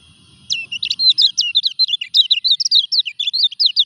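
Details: During moult, a Lemon-bellied white-eye (kecial kuning) launches into a lively, unbroken series of high, swiftly alternating twittered notes lasting over three seconds.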